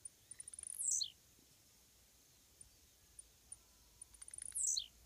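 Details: Blue-black grassquit perched by a roadside fence, wild, singing: two sharp, high buzzy phrases, each a run of quick ticks building into a downward-sweeping squeal, about four seconds apart, with quiet clicks between.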